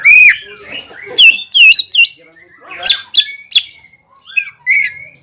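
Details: Greater green leafbird song used to provoke a rival bird: a loud falling whistle, then spaced sharp upswept notes and a few short buzzy phrases with brief pauses.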